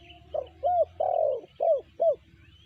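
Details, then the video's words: A spotted dove, tekukur BL type, uttering a run of five coos: short first note, hooked rising coo, long coo, then two more arched coos, with low rumbling in the background. "Tekukur BL suara sanji"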